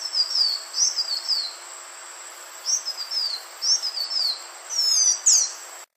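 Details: A Green iora's lure call: high, thin whistled phrases that slur up and down in short bursts, with pauses between, over a faint steady background hiss.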